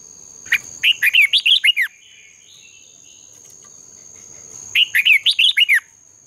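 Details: Competing red-whiskered bulbul song for training birds at dawn: two bubbly phrases about four seconds apart, each of some seven quick, swooping whistles, separated by near silence apart from a faint murmur and a high steady whine.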